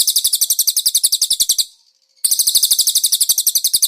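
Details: Konin song with cililin fillers, recorded as master for training caged birds: two high, rapid, evenly pulsed trills split by a half-second gap, soft low ticks underneath.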